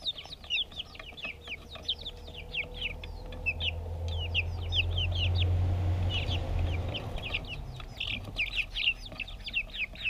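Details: Backyard chicks eating, GoPro camera: brisk high chirps repeated several times a second, briefly thinning midway while a deeper rumbling hum swells, then the peeping resumes strongly.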